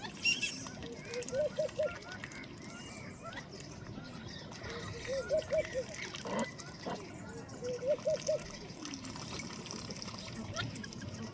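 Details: Ducks of mixed species, including freckled duck, South Georgia pintail, Madagascar teal, black-bellied whistling duck, marbled duck and Baer's pochard, dabble and splash foraging in a pond. Three times, a short run of soft mid-pitched notes rises above the trickling.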